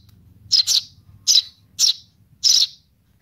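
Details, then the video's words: Nestling Eurasian tree sparrow calling for its mother: a quick doubled chirp, then three single shrill chirps spaced about half a second apart. "suara anak burung gereja memanggil induk .baby sparrow calling for mom"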